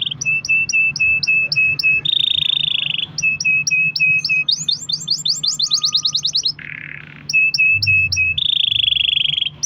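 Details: Canary singing in long-roll style, used as a lure for other canaries: repeated clipped two-tone notes, sustained buzzy trills, and a fast series of rising chirps, with brief pauses between phrases.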